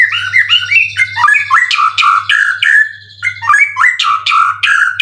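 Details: Caged competition white-rumped shama, a prize-winning bird with twelve wins, said to be in top condition with a full repertoire; continuous loud song of fluty whistles and harsh buzzy notes in quick varied phrases, over a low steady hum.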